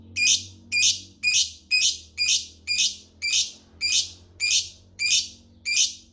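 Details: A lovebird gives harsh, buzzy squawks in short bursts, repeated just under twice a second, each one rasping and broad.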